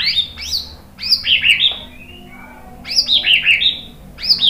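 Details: White-rumped shama song used to provoke other birds into singing: bursts of high, rapid, bubbling chattering notes, repeated roughly every second and a half.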